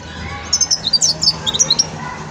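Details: Brief, lively twitter from a young Wedani European goldfinch in song-learning stage: about a dozen rapid, thin, high chirps and slurred whistles in quick succession over a soft background hum.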